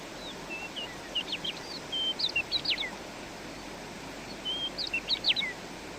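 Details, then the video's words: Chirping bird outdoors in nature, giving two bursts of song a few seconds apart, each a string of sharp high chirps, short whistles and quick slurred notes, with a quiet pause between and low steady hiss throughout. "Kuş cıvıltıları"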